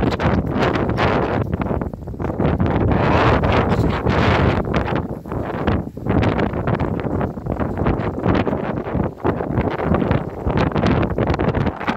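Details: Strong wind buffeting the microphone with rustling throughout, and no animal sound heard.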